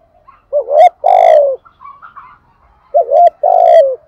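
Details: Spotted dove, 'thổ' cooing style used to spur wild doves to coo: two phrases, each a wavering up-and-down note followed by a long, loud falling coo, with soft murmuring notes between them.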